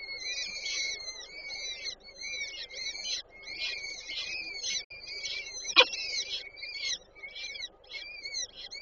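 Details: Nestling peregrine falcons, Warsaw Żerań, 8 May 2023, as their mother brings food: a steady stream of shrill, wavering squeals in short stacked bursts, with one sharp knock near the end.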